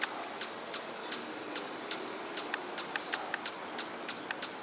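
A hummingbird gives sharp, high chip notes, about three a second at a slightly uneven pace, over a faint steady hiss.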